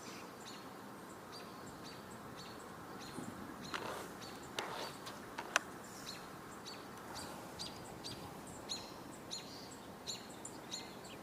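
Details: American robins (Turdus migratorius) give short, sharp high calls repeated every second or so, over steady outdoor background noise with a few clicks, on 26 July 2022, with a hawk not far away.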